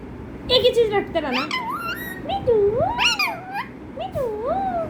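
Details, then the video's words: Pet parrot indoors mimicking a cat: a string of sliding, nasal meow-like notes rising and falling, some overlapping, mixed with soft low human voices in the room. "mithu say meww meww"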